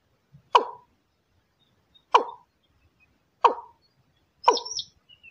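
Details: Thai-style watercock calling: four hollow, resonant plop notes spaced about one to one and a half seconds apart, with a faint thin high squeak after the last.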